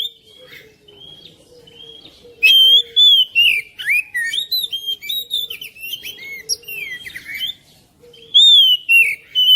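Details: Song of an oriental magpie-robin, played to encourage a silent bird to start singing: varied whistles, trills and sharp chips in dense rapid phrases, a short pause, then another loud whistled burst, over a continuous low hum.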